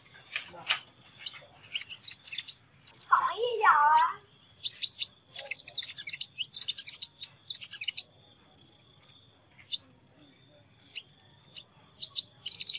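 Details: Sunbird with an unusual voice singing fast, high, thin chirps and short twittering notes, many per second with irregular gaps, broken near the middle by a louder, lower, harsher burst lasting about a second.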